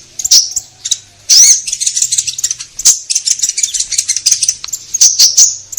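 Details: Lively orange-headed thrush song used as a lure to set caged birds singing: a packed, high-pitched chatter of scratchy notes and short sharp whistles, with hardly a pause.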